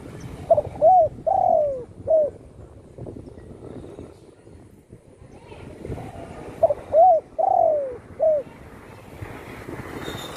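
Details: Spotted dove living at home after being shot in the wing repeats its four-note cooing phrase twice, about six seconds apart, over steady background rumble and voices.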